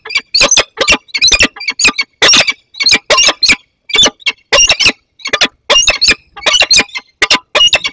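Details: A young peregrine falcon meets an adult in the Barycz Valley, Poland, on 15 August 2021. Harsh, grating squawks repeat steadily at two to three per second with brief gaps, intense and continuous.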